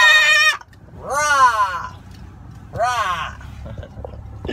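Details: A pet macaw riding in a car gives three loud, raspy squawks, each rising then falling, spaced about a second apart, over a low engine rumble.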